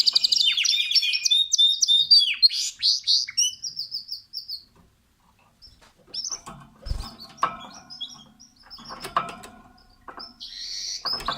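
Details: Canary at its nest, singing a fast, varied run of high whistled notes and rolling trills that fades after about four seconds; then soft rustling and tapping, with a burst of song returning near the end.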